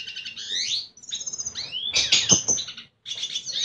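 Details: A red siskin sings to attract a female: a fast, high, twittering song of chirps, buzzy trills and sweeping slurred notes in quick bursts with brief pauses.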